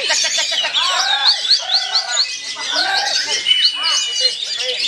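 Oriental magpie-robin song: dense, rapid whistles and slurred rising notes, with other caged songbirds chattering and a crowd murmuring at a contest.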